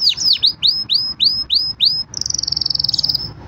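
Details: Loud song from a green canary: six or seven clear down-swept whistles about a quarter second apart, then a rapid rolling trill lasting over a second, with little else heard.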